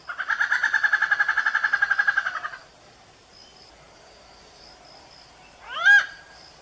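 Indian grey hornbill giving a fast, rattling series of harsh notes for about two seconds, then a single squealing cry after a pause.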